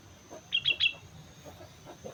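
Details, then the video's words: Sooty-headed bulbul on Mount Slamet, singing actively (gacor): three quick bright chirping notes over a hissy, noisy background with soft low thumps. "suara burung kutilang gacor gunung slamet"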